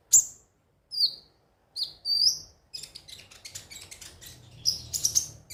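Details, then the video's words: High, sharp chirps from a ruby-cheeked sunbird used as a lure to spur birds into daily song: several separate squeaky, downslurred notes, then a fast, crowded chatter of thin ticks and whistles. "pancingan suara burung KONIN agar rajin bunyi tiap hari"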